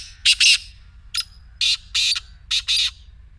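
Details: Black francolin calling to coax a silent partridge into song: a rhythmic phrase of harsh, buzzy notes grouped in pairs, with about seven strident notes in just over three seconds.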